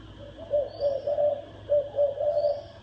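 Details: Spotted dove's thổ đồng cooing for inciting males and wild birds to fight: two phrases, each a soft lead-in note followed by three rolling coos, with a faint high chirp above.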